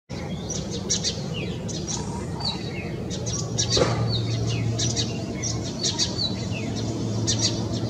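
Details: Indian house sparrows in India chirp in short, bright, repeated notes, several per second at times. A steady low hum and faint background noise run underneath.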